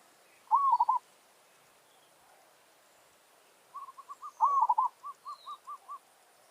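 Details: Territorial challenge by a village zebra dove luring wild birds. One rolling coo phrase, then a run of about eight short soft clipped notes with a second rolling phrase tucked among them.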